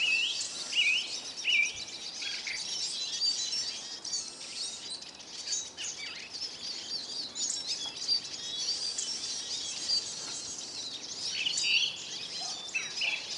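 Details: Hungry Eurasian siskins crowding a bird feeder in Kolmården, Sweden, recorded from the ground below; a dense continuous chorus of high twittering and chirping from many birds, with occasional lower drawn-out wheezy notes.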